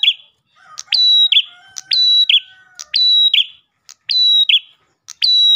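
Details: Lure song of an Ash tailorbird: steady high whistled phrases ending in a short buzz, about one a second, while a softer lower whistle runs beneath the first half.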